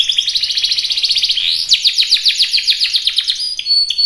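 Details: Canary in full, vigorous song: a dense run of rapid high trills and repeated chirps, with a fast twittering phrase that shifts into sharper, descending ticking notes, continuous throughout.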